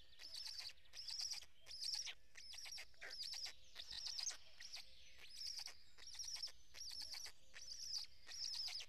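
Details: At a nest in Estonia's Karula National Park, early morning of 23 May 2017, black stork chicks, one just hatched as the fourth, beg during feeding by an adult: about thirteen rapid, hissy, high-pitched buzzing bursts, closely spaced and uneven.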